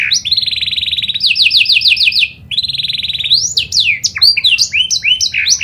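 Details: Canary lure song from a kenari panda: a buzzy roll, a run of repeated sweeping notes, a second roll after a brief pause, then sharp falling and rising whistles.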